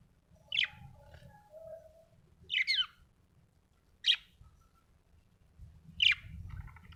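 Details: A budgie in a happy mood gives four sharp, high chirps spaced roughly one to two seconds apart, with soft lower warbling notes between them and a low hum throughout.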